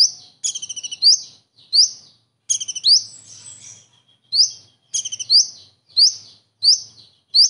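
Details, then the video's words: A common iora delivers kingfisher-style phrases copied into its song. Short staccato trills alternate with loud upward-sweeping whistles, repeated in quick succession with brief pauses, and no other sounds are present. "KONIN ISTIMEWA ISIAN TENGKEK UDANG"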